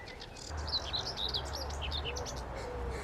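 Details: Common Whitethroat singing at dawn, about 5:45, on a local patch rich in warblers and birdsong: quick scratchy warbled phrases of short high notes, with a steady low hum and other birdsong around.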